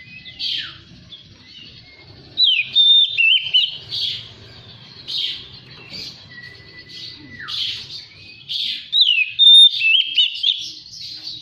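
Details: Magpie-robin song used as a lure recording to prompt kept birds to sing and fan the tail: clear whistled phrases, rising and falling slurs and long level notes, in bursts with short pauses and a faint low hum beneath.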